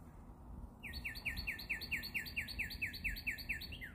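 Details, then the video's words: Bird song: a rapid series of bright, downslurred whistled notes with harmonics, repeated about twice a second in an even trill after a short quiet start, over low background rumble. "bird song"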